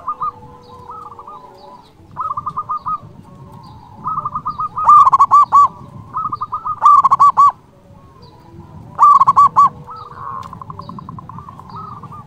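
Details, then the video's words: Local Indonesian zebra dove in vigorous, loud song used to provoke rivals: phrases of looping, mellow coos with louder harsh bursts recurring about every two to three seconds, alternating with softer, rapidly repeated trilled coo notes. "Perkutut lokal gacor Suara BESAR ampuh memanggil lawan BUNYI EMOSI manggung"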